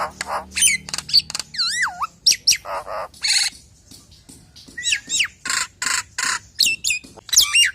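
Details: Nias hill myna in full lure song to call in other hill mynas: piercing whistles, a looping wavering whistle, hoarse squawks and bright downslurred notes in a fast, varied stream.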